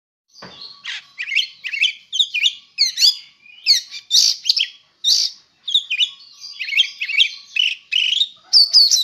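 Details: Oriental magpie-robin, a contest-ready bird, in a rich, varied song. Fast run of whistled, chirping and buzzy notes with a short pause between each burst.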